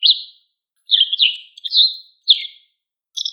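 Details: White wagtail, a wild bird, giving five sharp high chirps, each sliding downward, some paired into quick double notes, spaced irregularly with short silent gaps and no other sounds.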